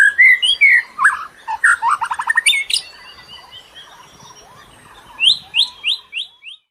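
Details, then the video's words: Birdsong used as a lure for other birds: loud slurred whistles and a rapid chattering burst, then a quiet gap, followed by a run of five high, descending chirped notes. "KICAU BURUNG PEMIKAT"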